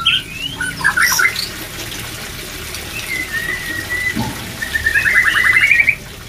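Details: White-rumped shama song aimed at raising breeding drive. Quick scratchy notes open, then long level whistles, ending in a fast trill of repeated notes over a water-like hiss.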